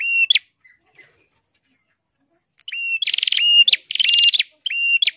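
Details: Ashy tailorbird, described as red-headed and singing in clear crystal voice: one whistled phrase, a pause, then several rapid phrases of a flat whistled note ending in a sharp upward flick, some with buzzy trills.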